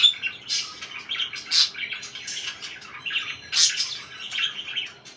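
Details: Soft, rambling parakeet chatter of raspy, buzzy notes, with a few louder sharp chirps standing out.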